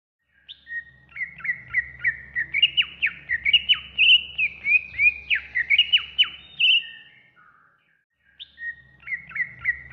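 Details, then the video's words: Greater green leafbird (cucak ijo) master song for training caged birds, best played in morning or evening: rapid bright chirps and sharp downward-sweeping whistles in a lively run of about six seconds, a pause, then repeated chirps resume over a low hum. "Masteran Terbaik Cucak Ijo"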